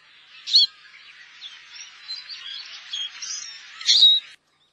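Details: Eurasian siskin, a winter visitor to Korea: a low murmur of many twittering birds, punctuated by two louder squeaky calls near the start and end.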